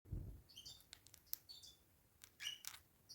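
A Bourke's parakeet grinds its beak: soft, dry scratchy clicks and brief rasps in uneven bursts, opening with a low thump.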